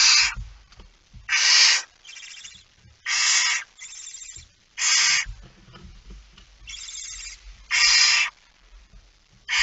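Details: Barn owl at the nest, early morning of 19 September 2019; loud harsh hisses alternate with quieter, fainter ones, about seven bursts in total, with low rumbling and shuffling noises underneath.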